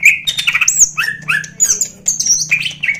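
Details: Greater green leafbird from a national champion bird, singing a loud, harsh, insistent medley of sharp whistles, high squeaky slurs and rough chattering notes that jump between pitches with barely a pause. A low steady hum runs underneath.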